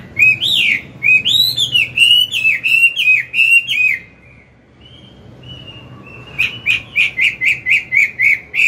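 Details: Morning song of an old forest-caught hwamei, sung to coach newly caught birds: a burst of loud swooping whistles and warbles, a brief quiet gap with one thin held note, then a fast string of repeated sharp whistled notes.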